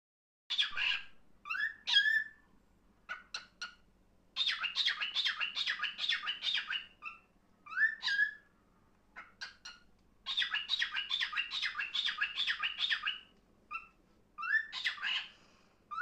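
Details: A cockatiel, described as declaring its love, gives bursts of harsh, buzzy chatter mixed with short rising whistles and sharp chirps.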